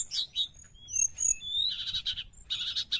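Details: Sooty-headed bulbul singing as a lure for wild birds: clear high whistled slurs and level notes, then dense buzzy rattling chatter in two bursts near the end.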